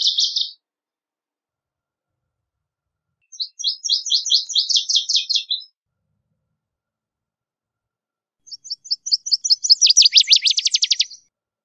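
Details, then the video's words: Northern Waterthrush (Parkesia noveboracensis) singing in nature: loud, ringing bursts of high, rapid chip notes speeding up to an emphatic, tumbling ending, each phrase about two seconds, spaced a few seconds apart. "Birds Singing - Northern Waterthrush"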